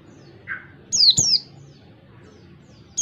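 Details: Oriental white-eye singing in the ngalas style, a clear-voiced recording used to tutor other white-eyes: one soft mid-pitched note, then two sharp, high, downslurred chirps, and a third chirp beginning at the end.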